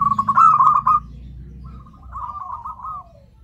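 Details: Zebra dove calling as a lure for other zebra doves, a loud stuttering burst of rolling coos followed by a quieter, fading phrase that dips slightly at its end.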